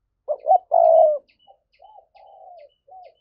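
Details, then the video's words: Spotted dove in 'thúc' cooing style, used to excite wild doves for trapping: a quick double note, a long loud low coo, then three softer falling notes trailing off. "Giọng cu gáy thúc hay, anh em mở lên kích bổi rất hiệu quả"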